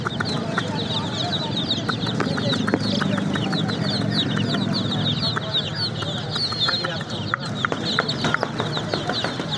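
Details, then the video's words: Many baby chicks chirping together, a continuous wash of short high peeps mixed with scattered sharp clicks and taps, steady low rumble underneath. "Baby Chicks Chirping sound"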